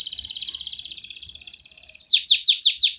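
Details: Canary singing to provoke silent canaries: a rapid buzzy trill fading slightly, then loud descending slurred notes repeated about every quarter second.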